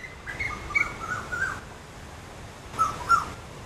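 Indian cuckoo giving its four-note whistled phrase, the notes falling slightly in pitch. A second phrase begins after a short pause, with faint background hiss.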